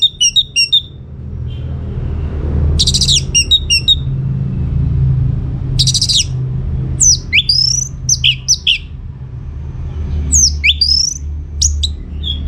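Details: Orange-headed thrush singing vigorously, played as a lure to make other birds answer: bursts of sharp, high, varied whistled and twittering phrases separated by pauses, over a steady low rumble.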